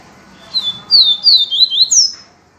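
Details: Yellow-bellied seedeater, in the viviti song style: a phrase of five or six clear whistles gliding downward, quick and evenly spaced, the last one higher, against a faint low hum.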